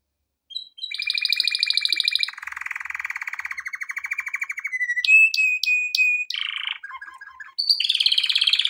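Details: Male canary song for training young birds: after a short pause it breaks into rolling trills, a lower buzzing tour, a run of sharp clipped notes, then brief chattering and a final high rolling trill.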